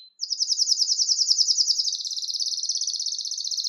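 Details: Belgian canary song meant to excite males and bring hens into breeding condition: a continuous rapid high trill, steady and rolling, softening slightly toward the end.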